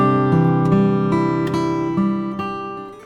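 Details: Strummed acoustic guitar chords ringing and changing roughly every half second and slowly fading, during a day trip to Rishop in North Bengal; no animal sounds.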